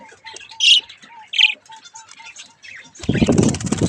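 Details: Young pet budgerigars at mirror play: short bright chirps and squawks over a faint steady tone, ending in a loud rush of flapping wings.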